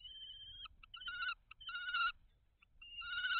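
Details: Common kestrels at a nest box on 17 May 2023, calling during a food transfer at the nest; drawn-out, whining, harmonic calls, some broken into short clipped notes, several in a row with brief pauses, in a quiet setting.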